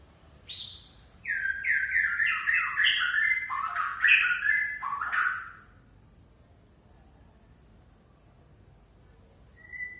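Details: Aceh-type white-rumped shama (murai Aceh) in relaxed mode, showing off its learned repertoire (bongkar isian): a rich five-second burst of sweet whistles and harsh, buzzy, descending notes, then near silence with one faint whistle at the end.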